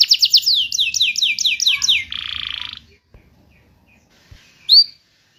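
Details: Canary song as a lure for canaries that stopped singing: a quick series of down-slurred whistles and a short buzzy trill, followed by near silence and one lone high chirp.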